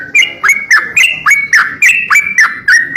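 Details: Greater green leafbird singing intensely for cage-bird training: evenly paced, clear whistled notes that step slightly up and down in pitch, each introduced by a sharp click, about three and a half per second.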